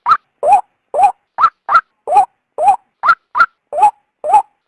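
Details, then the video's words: {'caption': 'Calls of a female white-breasted waterhen, used to draw the male from its habitat. Loud, croaking notes pair up in a steady low-high rhythm, roughly two to three per second, over a clean background.'} "suara burung ruak betina"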